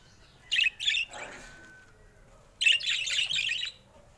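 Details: Pet budgerigars, colorful rare mutations: two short sharp chirp bursts, then a long faint whistle, a pause, and a longer run of buzzy, warbling chatter before quiet returns.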